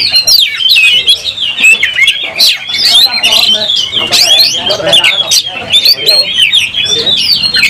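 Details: Kacer (oriental magpie-robin) singing vigorously while fighting, tail spread. A long, rapid medley of twisting whistles, chirps and rasping notes with hardly a pause.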